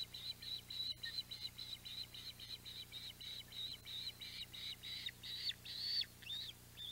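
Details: Osprey at the Audubon Boathouse nest, 14 July 2021, with a mackerel delivered: rhythmic high chirped notes in a long even run, growing longer and more slurred toward the end, over steady low hum.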